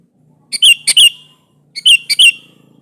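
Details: Sooty-headed bulbul in energetic song, calling a rival to provoke it into answering; two short bright phrases of four quick, liquid whistled notes each, about a second apart, over a faint low hum.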